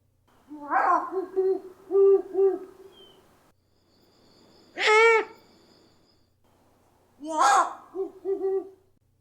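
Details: Great horned owl (Bubo virginianus), odd calls.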